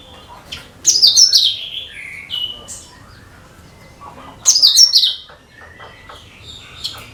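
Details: Cucak kinoi singing to lure other birds: two loud, shrill phrases that tumble downward in pitch about three and a half seconds apart, with softer chirps and whistles around them.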